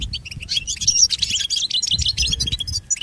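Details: Pet goldfinch training song: bright, jangling high twitter of overlapping short notes and a thin sustained whistle, delivered continuously with faint low hum beneath.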